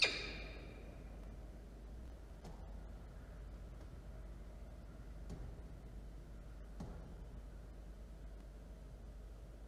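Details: Low steady rumble with a short noise burst at the start and a few faint sharp clicks, no animal voice present.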